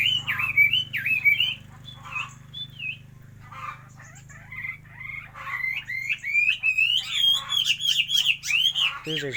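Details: Chinese hwamei singing wavering whistles, pausing briefly, then building into a fast, loud run of rising and falling notes that ends abruptly.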